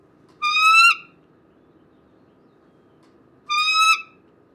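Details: Bald eagle in Michigan giving two drawn-out, squealing whistled notes, each slightly rising, about three seconds apart, over a faint low background hum.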